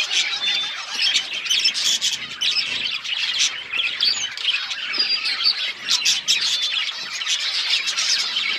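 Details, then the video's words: Pet budgerigars giving a dense, continuous chatter of high chirps, squawks and warbles, many birds calling together with no pauses. "Budgies bird talking sounds birds chirping"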